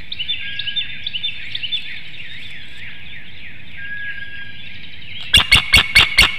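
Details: Brooding female bald eagle at a webcam nest in Hanover, Pennsylvania, just after dawn on 6 April 2019, calling to her mate. High, squeaky chatter tumbles in fast runs, then loud sharp clicks sound at the end.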